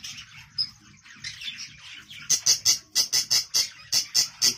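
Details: Budgerigars in a breeding colony while a nest pot holding tufted chicks is taken down; soft warbling chatter, then loud sharp chirps repeated about five times a second in a steady burst.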